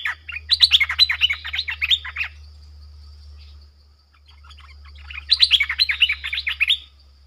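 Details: A lure streak-eared bulbul calling wild birds delivers two lively phrases of fast, dry chattering chirps about two seconds each, separated by a quiet gap, over a constant low hum.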